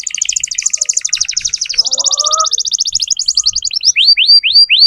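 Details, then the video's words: Canary song played to train young birds: a fast, even rattling trill of high notes, shifting to a quicker buzzy series, then a few loud downward-sweeping whistles; a faint lower squeak briefly underneath. "Masteran kenari muda dengan pancingan kenari gacor"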